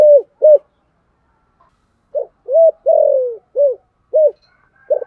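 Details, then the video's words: Spotted dove with a 'thổ' voice and 'hai hậu' call, aimed at stirring wild doves to coo: short rounded coos, then a full phrase of five with a long downward-sliding middle note after a silent pause. "chim cu gáy giọng thổ gáy gọi hai hậu/ cu gay kich boi nhanh noi gù"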